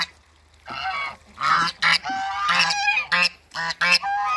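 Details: Pair of African geese greeted at a waterbird farm, giving loud, harsh, nasal honks in uneven bursts, several short blasts in quick succession after a quiet start.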